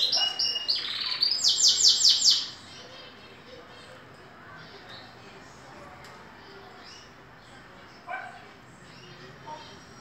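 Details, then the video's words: Green canary aged two, in moult, gives a short burst of song: rapid high chirps, then a fast metallic rattling trill lasting about a second, followed by near quiet with a couple of faint notes. "Canario verde na muda vocalizando"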